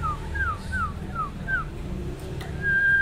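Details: Five evenly spaced, clear downslurred whistles from a male sirtu singing to goad rivals, followed by a long level whistle, over low hum.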